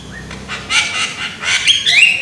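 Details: Loud-voiced young Javan myna giving harsh, rasping squawks broken by short rising whistles, the notes coming in uneven bursts.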